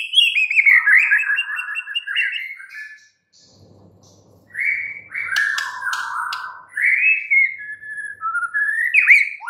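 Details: White-rumped shama singing loud, varied whistled phrases, rich slurred notes rising and falling, a brief quiet gap with faint low hum midway before the rich song resumes with sweeping notes and sharp high accents.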